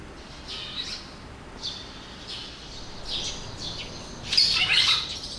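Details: A flock of Red-rumped swallows at Mashiko, Tochigi, Japan, on 5 July 2020 gives short, harsh, buzzy chirps in quick irregular bursts, several birds overlapping, with a louder cluster near the end.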